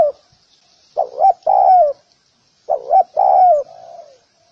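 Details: Spotted dove cooing, a recording used to train doves: two phrases of a short double coo then a long, falling coo, the second ending with a softer trailing note, in a quiet setting.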